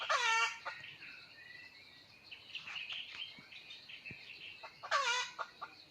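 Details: Red junglefowl crowing in the wild, 17 March 2020, while a hen is used as a lure: a brief rising-falling crow opens, a second crow comes about five seconds later, and faint chirps fill the gap.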